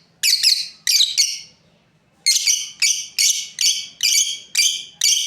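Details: Harsh, high chirping from a breeding pair of lovebirds: a few quick notes, a pause of over a second, then a regular string of chirps roughly every third of a second.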